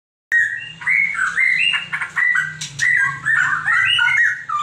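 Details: A straw-headed bulbul, one of a young pair, pours out a loud, rich, bubbling warble of quick liquid phrases that rise and fall without pause, over a faint low hum.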